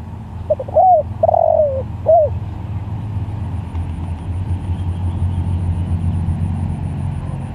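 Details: Spotted dove calling other doves: a single phrase of soft stuttered notes, an arched coo, a long wavering falling coo and a closing coo, then only a deep vehicle-like rumble.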